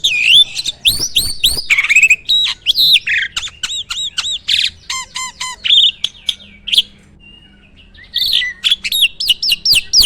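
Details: Starling kept on a farm, singing in full fill-in style: looping whistles and stacked chirps, a run of buzzy ringing notes, a quiet gap around seven to eight seconds, then swooping whistled phrases resume.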